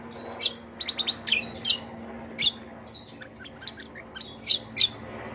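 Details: Greater green leafbird singing vigorously in the kecial kombo style with long rolls, said to answer any kecial kombo at once; sharp high downward-sweeping notes spaced irregularly, with short clusters of quick chirps between them and a faint low hum behind.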